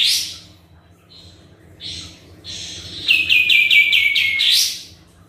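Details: Sooty-headed bulbul singing vigorously as a lure for other birds: scattered short chirps and a softer note, then a loud quick run of falling repeated notes capped by an upward-swept flourish; low steady hum underneath.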